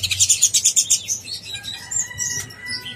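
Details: Konin blorok master song meant to provoke other konin: opens with a fast series of about seven bright, evenly spaced high chirps, then scattered thin twitters and short whistled notes, low background hum.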